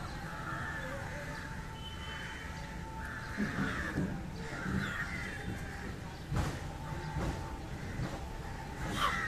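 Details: Harsh caws of an Indian jungle crow (Corvus culminatus) eating fish, in scattered groups, with a steady faint tone and occasional knocks behind.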